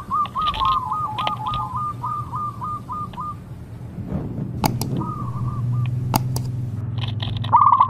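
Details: Zebra dove song with a voice described as crystal-clear, used as a lure for doves reluctant to sing: a fast run of short, even cooing notes in the first half, then noisy rumble and clicks with a brief song burst near the end.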